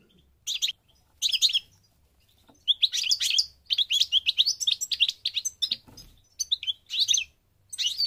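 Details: Moroccan goldfinch song from North Africa: short clusters of liquid twitters and high chirps, growing into a longer run of rapid tinkling notes in the middle, broken by brief pauses; faint low background hum.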